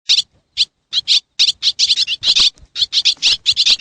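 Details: Swallows recorded in Xiangkhouang, Laos: sharp, high chirps in short bursts, sparse at first and then tumbling into a dense, irregular chatter of overlapping notes.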